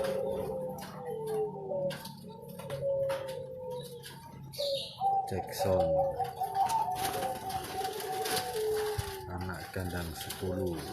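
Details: Prize-winning zebra dove kept for song contests in Sidoarjo, East Java, delivering anggungan coos: quavering, descending trilled notes followed by a steady held note, with some human voices and a brief wing flutter.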